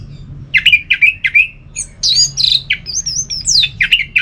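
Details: Orange-headed thrush in ngeplong song, used to stir sluggish birds into singing: a rapid, varied stream of chirpy, slurred notes, some dropping and some rising, with quick high squeaks mixed in, over a low background hum.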